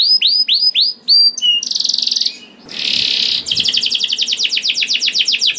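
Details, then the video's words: Canary in full song, played to get other canaries singing: a few clear upswept notes, then a dense buzzy rattle, a harsh churring burst, and a fast run of sharp repeated chips. "PANCINGAN KENARI GACOR DOR NGEREK PANJANG INI AMPUH BIKIN KENARI LAIN BUNYI"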